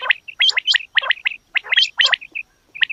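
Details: Female quail calls: a rapid, irregular run of sharp high chirps with some rougher, gargling notes and brief pauses between them.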